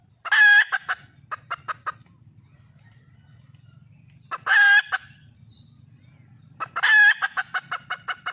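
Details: Red junglefowl hen in the wild, calling to attract a mate. Three bouts, each a loud, strained, nasal squawk followed by a run of quick clipped clucks, with long pauses between bouts and a low background hum.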